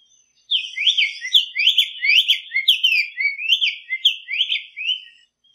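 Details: Black-faced tanager singing a lot in natural surroundings. A brief silence gives way to about five seconds of rapid, musical whistled notes that rise and fall, with a clean, quiet background.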